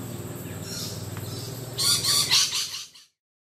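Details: Rainbow lorikeets, a group perched in low branches, give a burst of harsh, raspy screeching squawks lasting about a second, after a quiet stretch of low background hum.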